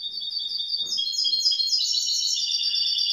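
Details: Young goldfinch mule, grey-blue hybrid, in continuous song: fast, bright, high-pitched twitters and trilled phrases, varied and unbroken throughout, with faint low background noise.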